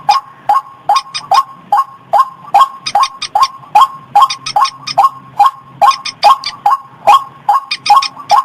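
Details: White-breasted waterhen call used to lure birds in paddies, gardens and rivers: a steady, regular series of harsh, nasal notes, roughly two and a half per second, each tipped with a high clicking overtone, with a faint low hum behind.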